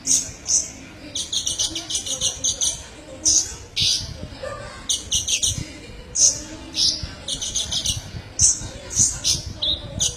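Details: Tutor recording of olive-backed sunbird (kolibri ninja) song: rapid, high, sharp chirps and twittering phrases repeated steadily for ten seconds, with low background murmur.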